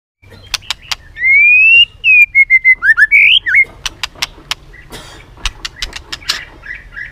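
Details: White-rumped shama in competitive singing, flicking its tail and clicking continuously: a long clear whistle that slides upward, then a string of short slurred whistles, followed by sharp dry clicks spaced irregularly.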